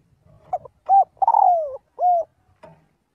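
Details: Spotted dove giving its flock-gathering call in daily voice practice: soft short notes lead into a long coo that descends steadily, then one more arched coo. Faint low rumbling sits beneath.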